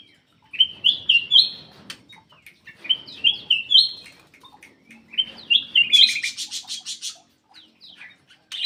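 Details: Black-crested bulbul singing energetically to stir quiet birds: repeated bursts of rising, warbled whistles in short phrases, one ending in a rapid buzzy trill, separated by brief pauses.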